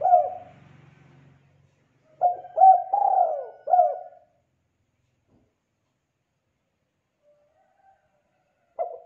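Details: Vocal spotted dove singing to encourage young doves to copy it. One clear phrase of four mellow coos, the third long and falling. It is followed by long silence and framed by fragments of other phrases, with a faint low hum at the start.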